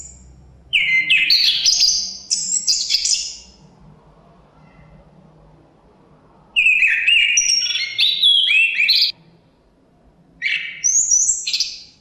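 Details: Chestnut-capped thrush singing in wind: dense bursts of high, rapid whistled and trilled notes in phrases a few seconds long, with longer quiet gaps between groups and a light rumble underneath.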